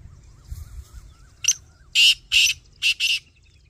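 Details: Black francolin call: a sharp harsh note followed by four loud, rasping, grating bursts in two quick pairs, over soft low rumble and faint chirps of another bird.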